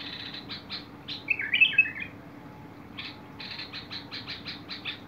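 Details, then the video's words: Bulbul song recorded 21 August 2022: one brief bright warbled phrase of slurred notes, set among repeated short buzzy chips and a steady low hum. "تغريد البلبل"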